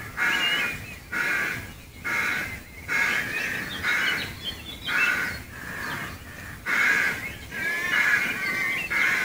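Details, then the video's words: A rookery in the trees at Gaia House, Devon, recorded from the footpath outside the grounds: repeated raucous, nasal caws about once per second from several rooks, some calls doubled, others fainter in the background. "Rooks at Gaia House"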